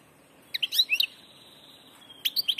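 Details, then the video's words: Passage goldfinch giving a few sharp, tinkling chirps, a long thin steady whistle, then another quick cluster of bright high notes. "jilguero del paso"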